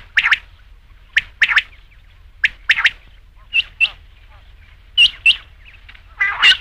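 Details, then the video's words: Rain quail (batair) hunting call for night: quick pairs of dry, sharp notes, repeated about once a second, ending in higher, brighter clipped whistles. "batair ki awaz raat ke liye | rain quail sound"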